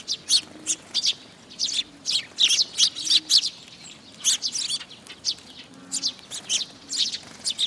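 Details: A group of Eurasian tree sparrows coming to a feeding place on a post at a shrine in June; a busy, overlapping chatter of high, clipped chirps, dense at first, pausing briefly, then resuming.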